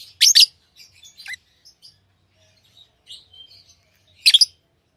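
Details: Pet lovebirds, tamed, letting out a loud doubled shrill chirp, then scattered soft squeaks and twitters, ending with another sharp burst of chirps.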